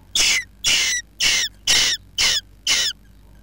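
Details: Western jackdaw nesting under a roof giving six harsh, raspy, hissing calls, each about a third of a second long, repeated roughly twice a second; faint background hum.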